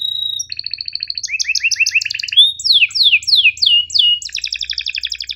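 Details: Canary tutor song with sharp chirps and rolling trills, meant to teach reluctant and young canaries to sing: a steady high whistle, then rapid buzzy trills and repeated downward-sweeping notes, ending in a fast pulsed roll.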